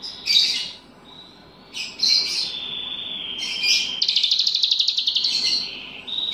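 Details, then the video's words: Bulbul tutored with cicilin songs, in full voice: high squeaky notes slide into a long thin whistle, followed by a rapid buzzy stuttering trill and a final sharp note. "Cucak Ranting Gacor Isian Cicilin"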